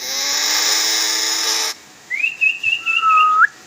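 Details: Talking common hill myna kept in Bangladesh, known to whistle and mimic speech; a loud droning buzz fades out, then a wavering high whistle and a lower level whistle ending in an upward flick follow.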